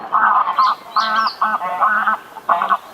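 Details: Greylag goose giving a run of five loud, nasal honks in three seconds, each a short buzzy blast with a slight pause between, the last two coming closer together.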